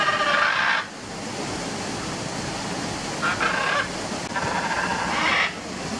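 Macaws give three harsh, raucous squawks, each lasting up to a second, over a steady background hiss.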